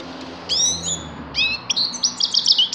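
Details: A grey-crowned goldfinch gives two bright, slurred call notes, then breaks into a fast run of high, tinkling twittered notes.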